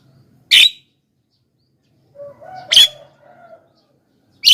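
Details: Javan myna luring call: three grating, buzzy squawks about two seconds apart, with a softer wavering crowing sound in the background around the middle one.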